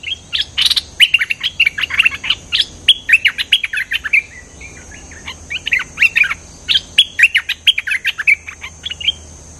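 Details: Cream-vented bulbul singing energetically as a lure sound: long chattering phrases of rapid, bright chirps broken by short pauses, with some sharp, clicky notes mixed in.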